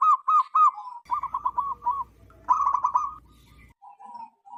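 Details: Loud-voiced local wild zebra dove, used for luring wild zebra doves: fast staccato cooing notes in short runs, then a few drawn-out slurred coos, with a faint low hum.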